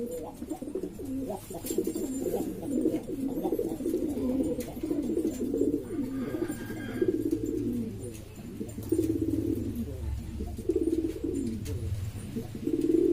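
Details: Noisy flock of domestic pigeons from Lombok, Indonesia, various hobbyist breeds: continuous overlapping low rumbling coos from several birds, pulsing and throaty, with a steady low hum underneath.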